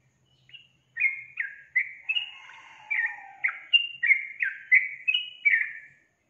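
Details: Yellow-vented bulbul in full song: a lively string of about eleven bubbly whistled notes, each dropping in pitch, with a softer descending note underneath mid-phrase and a quiet background otherwise.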